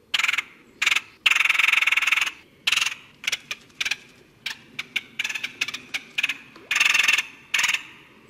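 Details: Red-headed woodpecker (Melanerpes erythrocephalus) giving loud, harsh, raspy calls, some short and some drawn out, in an uneven series over a quiet background.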